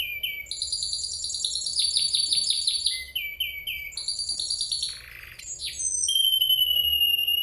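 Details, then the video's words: Long unbroken song of a Spanish Timbrado canary, mixing fast rolling trills, short rising notes repeated in series, a harsh descending buzzy sweep, and a sustained pure whistled tone that closes the phrase. "Burung Kenari Gacor Panjang, Kenari Spanish Timbrado"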